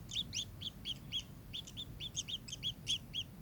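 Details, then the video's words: Kingfisher calling in rapid, excited runs of clipped high chirps, several notes per second, some doubled and slightly rising, over a steady low rumble. "burung tengkek"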